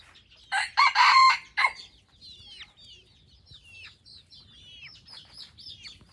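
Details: A crossbred decoy red junglefowl in Phon Thong, Roi Et, gives one short, hoarse, broken crow, followed by a chorus of thin, whistled chirps from small birds.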